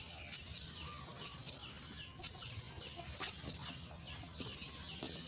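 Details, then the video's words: Hungry myna chicks at the nest while fed: five evenly spaced bursts of high twittering double chirps, about one per second, over quiet background. "Feed the myna chicks at nest"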